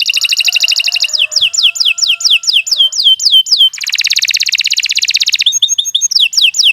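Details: Canary in long, continuous full song of the kind used to tutor other birds: fast, loud runs of high down-slurred whistles alternating with dense buzzy rolling trills, delivered without pause throughout.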